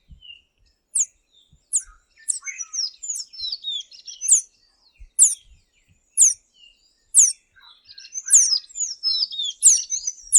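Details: Tanager singing sharp, high downslurred notes about once a second, mixed with softer twittering phrases between them.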